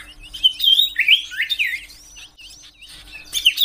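A common iora sings a quick, high burst of chirps, slurred whistles and twittering notes, canary-like in pace, with a short pause before a final flourish.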